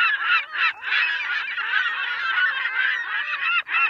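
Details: Many gulls screeching together in an unbroken wall of overlapping nasal, wavering cries, loud throughout, with two brief dips where the calling pauses for a moment.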